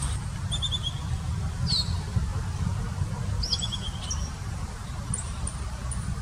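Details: Piratic flycatcher (Legatus leucophaius) at Puerto Iguazu, Misiones, Argentina, on 15 September 2018, giving thin, high calls: quick runs of three or four short notes and sharp squeaky notes, a second or two apart, over a steady low rumble.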